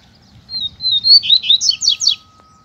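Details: A caged double-collared seedeater singing in competition with a loose male: clean high whistles leading into quick slurred notes and a run of sharp, falling chips, loud and clear against near silence.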